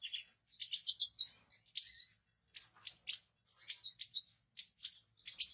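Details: European goldfinch twittering at moderate volume, with fast series of bright high chips and short trills in bursts separated by brief gaps.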